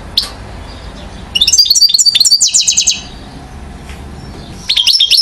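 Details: European goldfinch aged one year, Mouzaia, Algeria, recorded 2012. After a lone chirp, the bird bursts into a fast, buzzy, twittering phrase with rapid trilled notes, pauses, then starts a new ringing burst.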